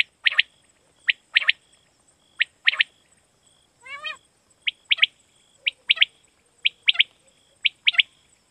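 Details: Quail call from Pakistan, played as a lure for night hunting: sharp clipped notes in pairs and triplets, repeated about once a second, broken once by a longer warbling, laddered note, over a steady electronic hum.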